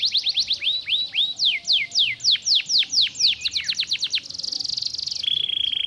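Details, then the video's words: Stimulating canary song with loud, rhythmic descending whistles repeated about twice a second, speeding into rapid chirps and ending in a steady high trill. "Uau !! uma vez girando o canário cantando diretamente !!!"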